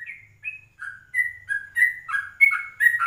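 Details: Yellow-vented bulbul recorded at 04:30 in the morning, used as a lure and as 'ropelan' tutor song: liquid whistled notes starting softly, then growing louder and more varied, with some notes rising and some falling, over a faint low hum.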